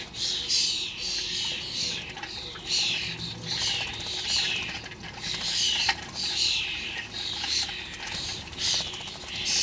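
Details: Noisy starlings feeding on bird food in a garden give harsh, hissing, rasping calls in overlapping bursts about every second, with a dense chattering background throughout.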